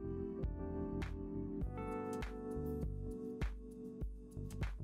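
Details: Instrumental music with steady harmonic chords and regular plucked or struck beats, with no animal voice heard.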